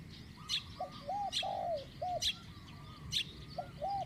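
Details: Spotted dove in a decoy-luring session, medium-pitched coo style: soft arched coos in a short group, with sharp high chips from another bird repeating about once a second over low rumbling background.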